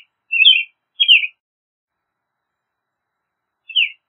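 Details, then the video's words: American robin giving two warbled whistled phrases close together, then a single short downslurred phrase after a pause of over two seconds, in otherwise silent surroundings. "American Robin Song! Call! Sound! Singing! - Mirlo Primavera Canto- Turdus Migratorius"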